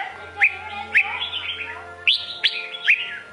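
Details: Sông Kôn style song of a Red-whiskered bulbul: a few separate, sharply rising whistled notes about half a second apart, with a softer warble between them, against a faint hum and clicks.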